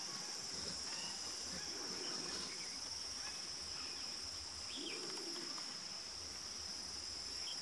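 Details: Green imperial pigeon in Gorumara National Park, Jalpaiguri district, West Bengal, India, in January 2018: two low, hollow, arching coos about two and a half seconds apart under a steady high insect drone, with faint thin chirps from other birds.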